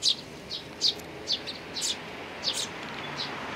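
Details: Sparrow chicks and parents recorded on 17 May 2019: high chirps at uneven intervals, loud at first and softer later, with light background noise.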